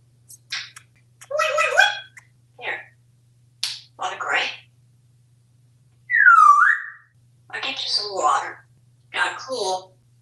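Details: Talkative African Grey Parrot kept at home in Texas, chattering during play with fruits and vegetables: a string of short spoken-sounding phrases, then a loud, clear whistle that rises and falls, followed by more clipped word-like bursts.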